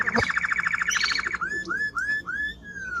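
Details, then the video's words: Timbrado canary song with a quick steady trill of repeated notes followed by four slow, clear arched whistles. "Canary singing Strong Bird - ذكر كناري تغريد نار"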